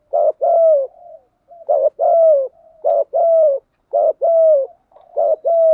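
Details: A spotted dove used to lure doves delivers its 'thúc gù' coo: five evenly repeated phrases, roughly one per second, each a quick clipped coo and then a longer, falling, hollow note.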